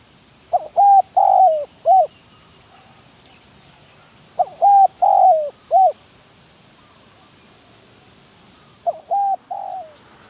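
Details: Caged decoy spotted dove repeating its cooing phrase three times, roughly every four seconds, each phrase a cluster of short hoots around one longer downslurred coo.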